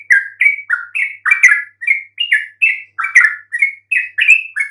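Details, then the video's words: Song of a yellow-vented bulbul, used to provoke silent birds into calling back: quick, liquid chirps in a steady stream, each note gliding up or down, roughly three per second. "PANCING trucuk BISU MANAPUN pasti RESPON NYAUT dengan kicauan ini"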